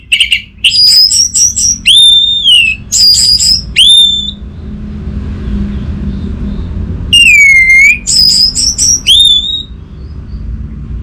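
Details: Lure song of the orange-headed thrush for prompting a reluctant caged bird to sing: clear, sweet whistled phrases with downslurred notes, a silent gap of about three seconds, then more whistles, over a faint rumble.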